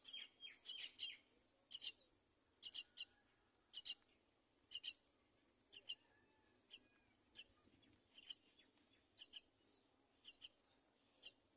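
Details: Mother myna bringing her chick to the side of the nest; high, sharp chirps in irregular runs, dense at first then spaced about a second apart.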